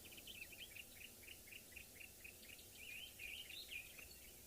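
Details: During a sunrise safari on 3 August 2023, on a warming morning after a cold front, a Green-backed Camaroptera gives quick, evenly spaced chipping notes joined by a brief warbled phrase.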